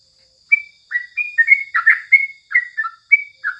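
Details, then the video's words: Crucukan (sooty-headed bulbul) singing in the morning as a tutor recording: a brisk string of short whistled, slurred notes, some falling, some rising, about a dozen phrases in quick succession over a faint steady high hum. "Masteran paling jitu saat pagi hari #crucukan"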